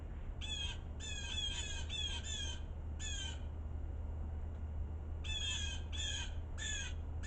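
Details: Blue jay brothers scolding in the snow during a quiet winter storm: harsh, nasal jeer calls given in quick clusters of two to four, separated by pauses, over a steady low rumble.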